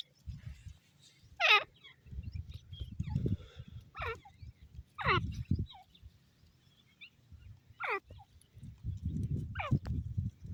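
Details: Grey francolin calling: loud, harsh, falling notes repeated every one to two seconds, with low rumbling background noise between the calls.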